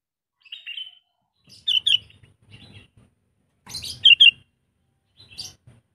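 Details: A tame sooty-headed bulbul trained as a decoy bird gives scattered short bright notes and paired chirps, separated by gaps of about a second, with faint handling noise beneath, indoors.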